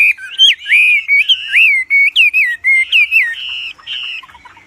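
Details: Wambi in full song, loud and strong, suited as a master for training birds; clear high whistles bending up and down in short separated phrases, trailing off to softer notes at the end.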